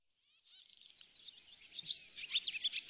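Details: Barn swallow twittering at a bird hide at Oostvaardersplassen in September 2016, recorded with a Panasonic Lumix GH4: a quiet start, then a dense, high chatter of chirps that grows louder and choppier toward the end.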